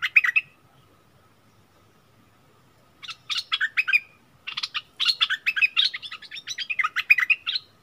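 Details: Bulbul dueling with a wild bird on 27 March 2021. A short chirpy burst is followed by a long silence, then lively bouts of quick, warbled chirping notes that continue to the end.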